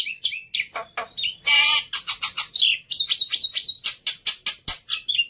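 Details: Overexcited fighter Black-winged myna, offered as tutoring material for mute mynas, gives a dense run of clipped chattering notes, a broad hissing screech near the start and a series of bright falling whistles.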